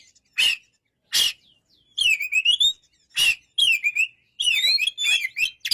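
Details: White-rumped shama singing: loud, varied phrases of short sharp bursts alternating with rippling, warbled whistles that rise and fall, delivered in quick succession with short pauses between.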